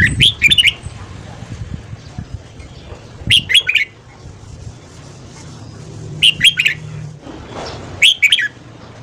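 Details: Red-whiskered bulbul morning song, played to train the voice and stimulate other bulbuls to sing: four lively phrases of three to five rapid whistled notes, two to three seconds apart, with a low rumble underneath.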